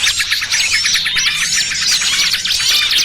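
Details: Bird-trapping lure sound of small birds: a short burst of busy, high twittering with looping, whistled sweeps and rapid chips from several birds together, all loud and continuous.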